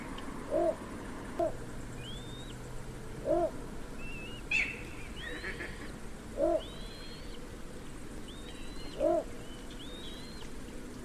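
Little bittern giving short, deep, barking croaks every two to three seconds. Thin, high whistled notes from other birds and a low background hum are also heard.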